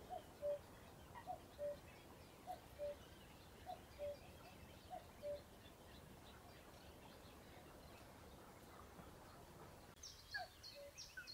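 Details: Common cuckoo at RSPB Ham Wall Nature Reserve, Somerset, UK, giving its soft, falling two-note "cu-coo" about once a second, over steady background hiss, with brief chirps from other birds near the end.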